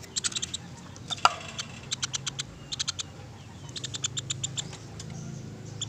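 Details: Woodpecker giving quick runs of crisp, high ticking notes, each run a few notes long and separated by short gaps, with a loud single snap early on and a low background hum throughout.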